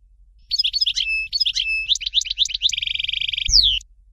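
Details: Dalya-style goldfinch song from Fort de l'Eau: repeated swooping, liquid twitters lead into a long, steady, buzzy trill. A final high note slides downward. A soft low knock sounds near the end.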